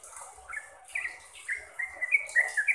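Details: Sooty-headed bulbul song for training caged birds to sing often and rapidly: scattered short whistled notes, building toward a quicker chain of bright, slightly falling phrases near the end, with a faint hiss behind.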